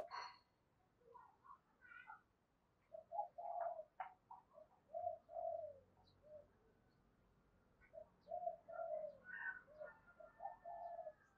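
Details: Spotted dove calling to lure, "hai hậu" style: two phrases of soft, low hooting coos over a hissy background, with scattered chirps and whistles from other birds throughout.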